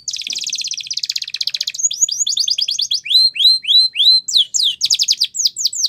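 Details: A Spanish Timbrado canary sings a training song for young birds: a long rapid buzzing trill gives way to fast chirps, then curved whistled notes that dip and rise, repeated about three per second.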